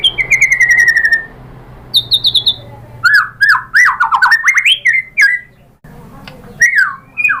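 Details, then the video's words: White-rumped shama song meant to rouse other birds into replying: a long falling whistle, a quick high trill, then varied loud swooping and slurred whistles rising and falling, with gaps and a low background hum. "OCEHAN MURAI BATU bikin NYAUT jadi EMOSI NYAUT GACOR BONGKAR MATERI ¦ PANCINGAN MURAI ¦ SHAMA BIRD"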